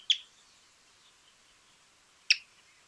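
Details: Pearly-vented Tody-Tyrant recorded in Argentina: two sharp, high, clicky chips a little over two seconds apart, with faint background hiss.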